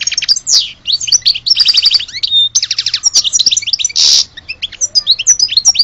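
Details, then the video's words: Lively goldfinch song, said to be from Alge: fast liquid twittering with rattled trills, a short pure whistle, and a harsh buzzy burst near the four-second mark, continuing in quick chirps. "Le vrai chardoneret de Alge"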